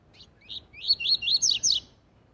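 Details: Double-collared seedeater giving its tui tui zel zel training song: a few thin introductory chirps lead into a lively series of five looping whistled notes, each rising then falling. The surroundings are otherwise silent.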